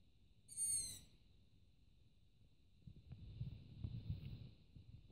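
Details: Hungry long-eared owl chick on a roof at night; one sharp, wheezy, high squeak at the start, then a stretch of low rumbling background noise.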